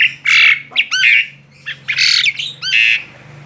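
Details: Tame Asian pied starling singing loudly outside its cage: harsh, squawky, high bursts alternating with brief rising whistled slurs, delivered in uneven chattering phrases, over a steady low hum.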